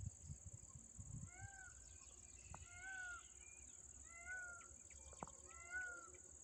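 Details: Indian peafowl calling as a train approaches on an Indian railway, giving four loud, nasal, wailing calls about every one and a half seconds, over a low rumble and a steady high hiss.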